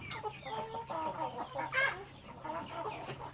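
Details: Backyard native chickens pecking grains during feeding, drawn-out tonal clucks and a louder harmonic squawk near the middle, other hens murmuring underneath and a faint hum.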